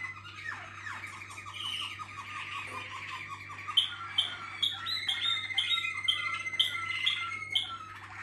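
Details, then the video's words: Waterslager canary: a quick series of falling chirps, then a long rolling trill dotted with bright ringing high notes, over a steady low hum. "malinois Waterslager"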